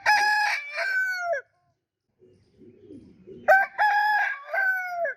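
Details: A rooster crowing twice: a long, harmonic crow with a falling end, then a pause of soft low clucking, then a second loud crow with stuttered opening syllables and a drawn-out close.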